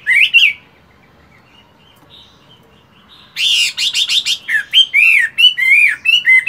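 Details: Moulting Chinese hwamei of fighting stock, kept caged, at morning voice practice: one bright whistled note, a pause with faint thin tones, then a loud rapid burst of varied rising and falling whistles and harsh notes.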